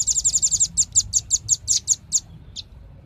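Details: Velvet-fronted nuthatch sending out a very fast run of piercing high chips that slows and spaces out before ending with one lower note.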